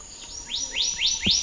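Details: A black-naped monarch gives a quick series of rising whistles, about five upward sweeps in rapid succession, with a steady high drone behind them.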